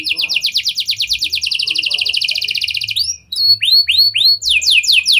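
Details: Canary singing a long, fast, even trill of buzzy notes for three seconds, followed by sharp whistled slurs and another quick trill; cengkok style imitating lovebird and prenjak, meant to lure other canaries into singing.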